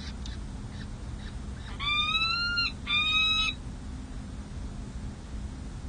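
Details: Peregrine falcons at a nest on San Jose City Hall, May 7, 2024, during feeding of four chicks aged six and seven days: two drawn-out, harmonic wailing calls, the first about a second long, the second shorter, over a steady low hum.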